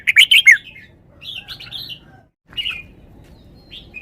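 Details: Caged red-whiskered bulbul singing: an opening burst of four loud, rich whistled notes, followed by softer warbled phrases and a brief trailing whistle.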